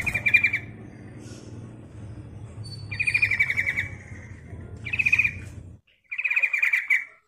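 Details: Lure call of a female sooty-headed bulbul calling the male: four bright chattering bursts at irregular intervals over a steady low humming background.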